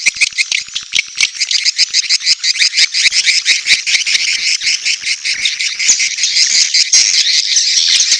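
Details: Edible-nest swiftlet mating and chick calls: fast pulsing high twitters repeated several times a second, rising into a denser, louder shrill chatter near the end.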